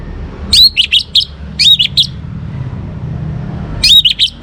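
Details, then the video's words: Young Orange-headed Thrush song used to make other birds sing: rapid series of sharp, high warbled whistles in two bursts separated by a quiet gap, over faint low hum. "ANIS MERAH Muda Gacor Untuk Pemancing Burung Berani Berkicau Ngeplong juga Teler"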